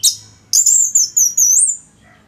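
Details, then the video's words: Caged orange-headed thrush (anis merah) from Singaraja, northern Bali, used to train other songbirds, giving a high, sustained whistled phrase that wavers and rises at the end after a sharp opening note. "ANIS MERAH Gacor Suara Rapet Bagus Untuk Memaster Burung Punglor"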